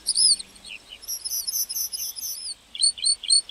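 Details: Lark singing in a meadow: high, bright chirps and short trilled phrases, then a pause before a few quick rising and falling notes. A faint low hum sits underneath.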